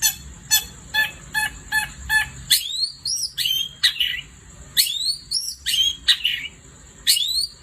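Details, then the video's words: Long-tailed shrike in full night-time song: a row of short raspy buzzing notes, then a varied run of rising and falling whistles and harsher slurred phrases, all over a steady high background whine. "Kicau Cendet Gacor Di Malam Hari"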